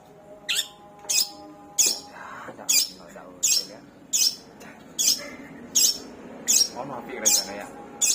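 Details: Long-tailed shrike mimicking other birds, including sparrow, kunti and tengkek buto: sharp, high, single squeaky notes repeated about every 0.7 seconds over a faint hum.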